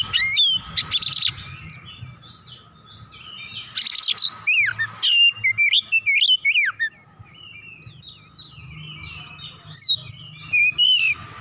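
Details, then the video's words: Oriental magpie-robin in agitated full song, unloading its repertoire: harsh, buzzy bursts and dense rapid whistles, then a quieter stretch before bright, sweeping whistled phrases return near the end. "KACER GACOR MEMANAS NAIK EMOSI BONGKAR ISIAN"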